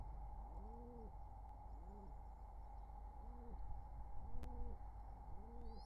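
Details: Courting wild pigeons beside their nestlings in summer 2023: five deep, rounded coos, each a short rise-and-fall, come roughly once a second over a constant low hum. A faint high squeak sounds at the end.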